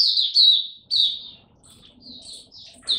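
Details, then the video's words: Song display of a kept Oriental white-eye, 26 November 2022: loud sweet warbled phrases at first, then softer scattered high chips and twitters, with quiet background hum. "Mata Puteh Buka Sing Raja"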